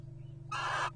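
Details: Wild Little Owl courting at a nest box in 2023: one harsh, raspy screech lasting about 0.4 seconds, with a faint tonal band inside the noise. A steady low electrical hum runs underneath.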